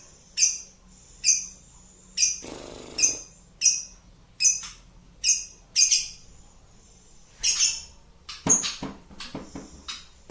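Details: Ngekek-style lovebird song. Evenly spaced shrill chirps come in a long series, broken once by a short burst of noise. They end in a quicker, more irregular cluster of sharp notes.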